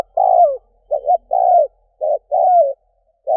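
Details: Decoy spotted dove cooing to stir wild doves: a string of mellow, low coos, some long and sliding downward at the end, others short and clipped, delivered close together in a clean recording.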